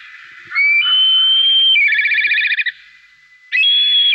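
A Black Kite gives a high, thin whistle that steps upward, breaks into a fast quavering whinny, then resumes as a steady whistle.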